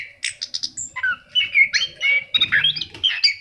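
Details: Orange-headed thrush singing, played to get pet birds singing: quick high notes followed by a flowing run of warbled, slurred whistles; soft low background murmur throughout.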